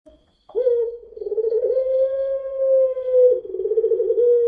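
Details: After a short lead-in, a puter pelung spotted dove used as a lure delivers a long, even coo. The coo pulses rhythmically at the start and the end.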